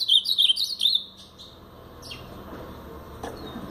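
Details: Blue-black grosbeak, brown plumage, Paraná song style: the end of a bright warbled phrase with quick rising and falling notes in the first second, then a few scattered sharp chirps against a quiet hum.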